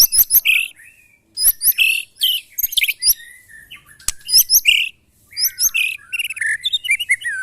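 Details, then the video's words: Caged white-rumped shama facing neighbours' birds in a mental test, pouring out rapid high chattering phrases mixed with whistled notes in repeated bursts, with sharp snapping clicks between. "test mental burung murai batu bersama teman teman"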